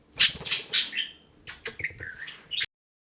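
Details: Pet budgerigar indoors gives three loud, scratchy chirps in quick succession, then softer warbling whistles that slide up and down, closing with a final sharp chirp before silence.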